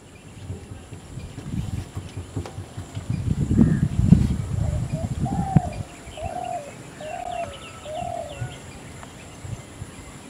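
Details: Spotted dove (Spilopelia chinensis) in natural habitat gives soft, low, hollow coos in a short run of about four notes under a second apart, after low rumbling wind, with faint chirps of other birds behind.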